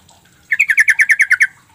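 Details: Yellow-vented bulbul call used as a lure to make quiet or silent birds respond: a rapid run of about ten clipped, slightly buzzy notes near the same pitch, evenly spaced roughly ten per second, lasting about one second.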